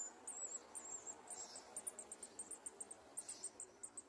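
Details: Olive-backed sunbird chicks in a garden nest, being fed by parents pushing food into their throats, give thin, very high cheeps in quick, uneven bursts, about two a second, over a faint background hiss.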